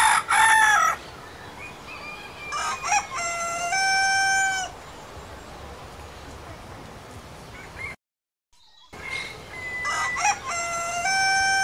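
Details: Crowing rooster, Southwest Asia: several crows, each beginning with rough, broken syllables and ending in a sustained, clear, ringing tone, with quiet background between crows and a short silent gap.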